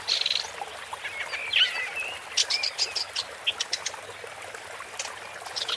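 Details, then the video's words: A woodchat shrike (Lanius senator) sings in Malaga, Andalusia, Spain, in May 2020: a rambling jumble of scratchy chatters, short clear whistles and high buzzy notes, delivered in quick irregular bursts. "Woodchat Strike (Lanius Senator) Bird Song"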